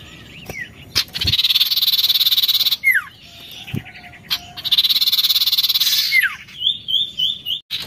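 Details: Oriental magpie-robin alternating long buzzy pulsed rattles with clear downward-slurred whistles and a short series of wavy trilled notes, with a few sharp clicks.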